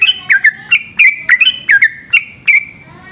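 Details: At night a yellow-vented bulbul delivers the rapid 'ropel' style of song in full voice. Bright, slurred chirps follow each other at a brisk, uneven pace, and some notes end in short whistled tails.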